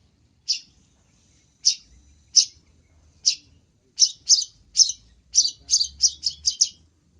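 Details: Long-tailed shrike in an energetic cendet masteran: spaced harsh chips that speed up into a rapid chattering string of rasping notes toward the end.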